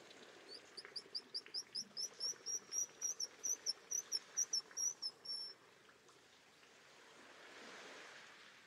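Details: Black guillemot giving a fast series of thin, high, sharply rising whistled notes, about twenty in five seconds, growing slightly louder, then stopping; a soft wash of background noise follows.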